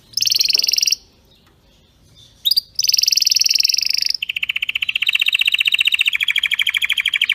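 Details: Canary singing a strong, clean song used for training canaries: bursts of very high buzzy trills separated by a pause, then a long rapid rolling trill at a lower pitch.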